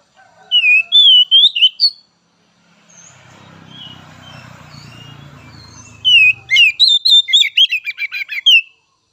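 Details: White-rumped shama song: rich whistled phrases at the start, a gap with low rumbling noise, then a fast run of repeated sharp notes and warbles near the end.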